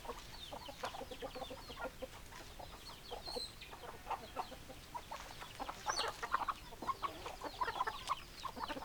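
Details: Hens and roosters of a chicken flock: a busy stream of short, choppy clucks and scattered thin peeps. The calls grow louder and denser toward the end.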